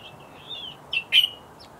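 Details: Bluethroat giving thin high whistled notes that waver gently, followed by two sharper, louder chirps and a faint final tick, with little else audible.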